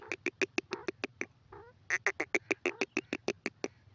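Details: Grey francolin, called teetar, in a breeding setting, giving loud harsh repeated notes about three per second, broad clicks with a bright tone near the top, in two bursts separated by a brief pause.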